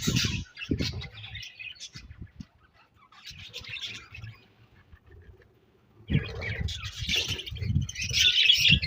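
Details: Budgerigar colony chirping in bursts: scratchy warbling chatter at the start, a quieter lull with scattered chirps, then loud overlapping squawks and chatter resuming for the final few seconds, with low thumping noises underneath.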